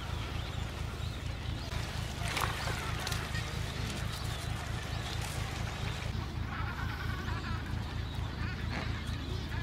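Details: Adélie penguins at a breeding colony of about 150,000 pairs on Paulet Island, Antarctica, 1 February 2019, bray and squawk in harsh, overlapping honks over a steady deep rumble of wind or engine noise.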